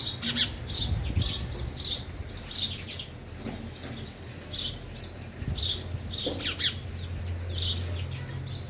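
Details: At a feeder, sparrows eating and flitting about give rapid, high chirps in irregular runs, some calls overlapping, with low thumps and hum beneath.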